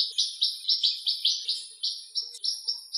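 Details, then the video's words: Possibly a Western rock nuthatch (identification uncertain) in Greece singing a loud, rapid series of clear, high whistled notes, about four each second, with a faint high hiss behind. "Βραχοτσοπανάκος Κελάηδημα? - Western Rock Nuthatch Song?"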